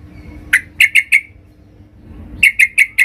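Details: Female sooty-headed bulbul calling the male, a lure: two groups of four clear, evenly spaced chirps separated by a pause of over a second, faint hum behind.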